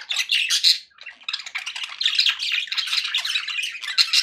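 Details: Happy budgerigars kept as pets give loud, nonstop squawky chatter, rasping and warbling notes packed tightly after a brief pause near the start.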